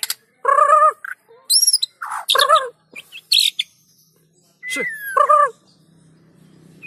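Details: White-rumped shama song played to draw other shamas into singing: loud nasal harmonic notes in irregular bursts, a sharp descending whistle and high squeaky notes, separated by gaps of silence.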